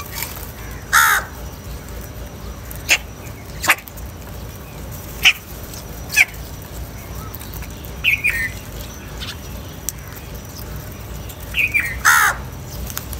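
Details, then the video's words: Angry crows fighting over food: loud, harsh, buzzy caws with rich overtones at about one and twelve seconds, separated by shorter scattered hoarse calls, over a steady low background hum. "Angry kauwa ki awaaz | Crow bird Fight for Food"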